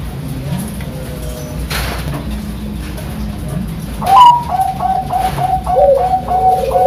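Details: Zebra dove of the Bangkok line with a standard-style voice, from a bird farm in Sidoarjo, East Java, Indonesia. Low mellow cooing phrases begin after a quiet stretch of room noise and roll on in a stepped, repeated series.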